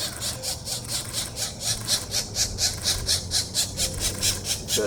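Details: Nestling pileated woodpeckers fed in April 2024, calling in a continuous train of scratchy, hissing pulses at a regular fast pace, low murmur of people in the background.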